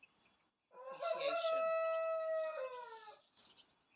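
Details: A single rooster crow of about two and a half seconds in a UK garden in spring, with a stuttered start, a long held middle and a falling end; faint high chirps of garden birds before and after.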